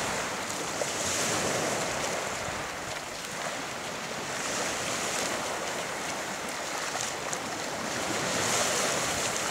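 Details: Surf rolls in, with wind and hissing water throughout and no animal calls standing out.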